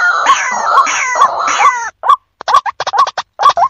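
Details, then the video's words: Lure call of a white-breasted waterhen meant to attract distant birds. A drawn-out, wavering, harmonic calling runs first, then breaks off into a choppy string of short, rasping, rising croaks with brief gaps. "suara ruak ruak bikin kacau, yang jauh langsung ngumpul"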